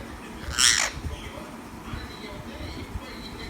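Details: A green parrot gives one loud, harsh screech lasting under half a second, followed by quiet background sounds with faint distant chirps.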